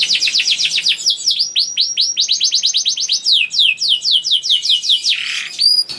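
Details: Juvenile canary in continuous rolling song intended to spur other canaries into song: quick chirp trills, a long series of falling swept notes, ending with a buzzy note and a high whistle.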